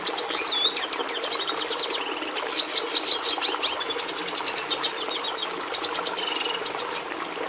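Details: Red siskin (Carduelis cucullata) singing a long, busy twittering song: dense high chips, buzzy rattles and trilled phrases repeated rapidly, with a short squeaky slide near the end.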